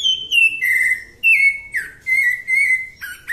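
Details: Cocoa thrush singing its "Santa Fé" song type: clear, fluting whistled phrases, each slurring down then holding steady, given one after another with short pauses; nothing else heard.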